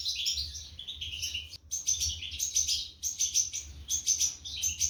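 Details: European goldfinch chicks being fed by their parents in a nest box, 2023: continuous high, shrill, wheezy chittering in rapid bursts with a brief pause near the middle, some thin piercing whistles on top.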